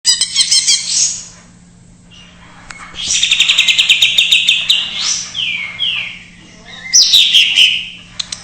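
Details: Greater green leafbird singing an isian-style song, used as a lure for untrained or silent birds: high whistled phrases and rapid chattering runs with brief pauses, and a steady low hum underneath.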